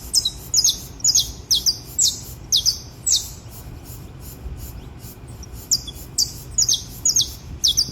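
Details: Saffron finch, locally called canário-da-terra, yellow bird singing at dawn in the wild: short bright high notes in quick bursts, roughly two per second, with brief pauses, over a steady low background hum.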